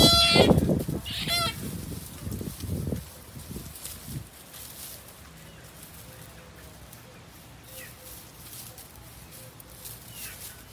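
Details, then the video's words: Rooster courting a hen gives a few loud, harsh, nasal calls in the first three seconds, followed by a long quiet stretch with faint low hum and a few distant soft notes. "Rooster wants to make babies with female chicken so badly"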